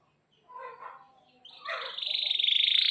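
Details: Canary in full, vigorous song: soft, low murmuring notes at first, then a loud, bright, high trill that starts suddenly and rolls on in rapid, even pulses to the end.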